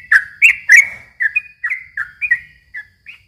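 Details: Chatty yellow-vented bulbul song played as a lure to stir young birds: three loud, sharp, slurred notes open the phrase, followed by softer, evenly spaced bubbly whistles that trail away, roughly ten notes in three seconds.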